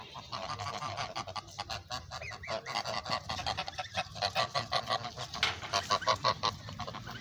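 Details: Farm geese in a noisy group giving loud, harsh honks in quick uneven bursts, several birds calling over one another throughout, with a low background rumble.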